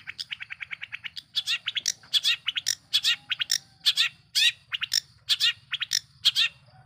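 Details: Long-tailed shrike singing as a lure for other shrikes: an opening rapid rattle, then harsh scratchy double and triple notes repeated about once a second over a low hum.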